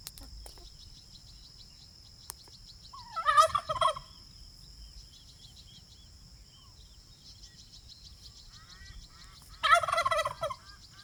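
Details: Domestic turkey, free-ranging and foraging on pasture at an off-grid homestead, lets out two rapid rattling gobbles about six seconds apart, with a constant thin insect hum behind.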